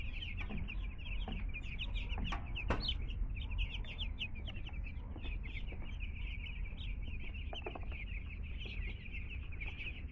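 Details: Group of two-day-old chicken chicks just brought home, peeping without pause in short high chirps, several louder individual cheeps early on, against a persistent low droning background.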